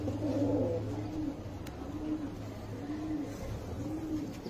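A fancy pigeon gives low, soft, rolling coos in a steady series.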